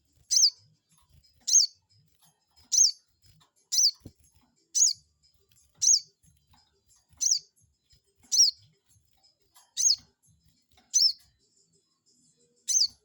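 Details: Crested jay lure call to make a rival answer: a steady run of eleven sharp, high-pitched chirps, about one every second, with a single faint click midway.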